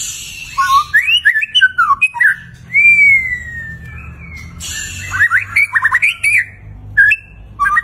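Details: White-rumped shama, singing gacor with a lavish isian repertoire: quick twisting whistles open the phrase, then a long smooth whistle gliding downward, followed by a chatter of rapid rising and falling notes and a few scattered chirps.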